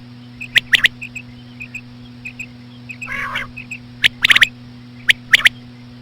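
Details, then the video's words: Female batair giving slow lure calls to attract quail; paired sharp clicks, faint chirps, a brief nasal burst in the middle, then clustered clicks, all over an electrical hum. "COMMON QUAIL CALLING WITH SLOW FEMALE QUAIL SOUNDS"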